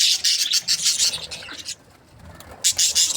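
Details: Happy budgerigars chirping, with raspy, buzzy bursts of chatter in quick runs that stop for about a second midway before resuming.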